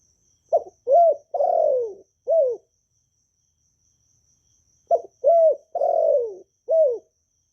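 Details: Caged spotted dove cooing to encourage other kept doves to sing; two identical four-note phrases about four seconds apart, each a short note, a steady coo, a long drawn-out falling coo and a clipped final note, in quiet surroundings.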